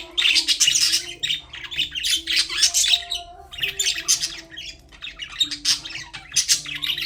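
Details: Caged budgerigars chatter continuously with raspy squawks and high twittering chirps in rolling bursts, a short lull near the middle, a low hum behind.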